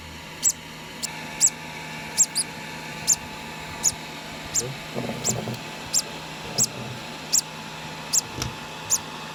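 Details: Two-day-old conure chick being hand-fed, giving short high squeaky begging peeps repeated roughly every half second to second, with steady low background hum and faint handling noises.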